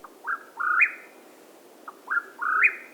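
Mexican Whip-poor-will giving two clear three-part whistled phrases, a short note then a rising, burry slur, repeated about every two seconds.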